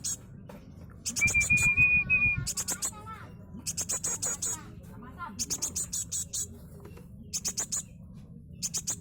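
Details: Very young cinereous tit chick, sex not yet known, still being hand-fed, giving bursts of high, rapid, buzzy begging notes in short repeated groups. A steady human whistle sounds early on, with faint voices behind.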